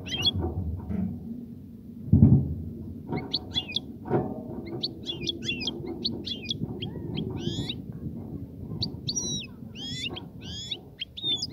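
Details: European goldfinch singing to stimulate the female to mate and nest; scattered bright twittering notes and quick rising slurs, sometimes in short bursts, over a steady low hum and a loud thump near two seconds.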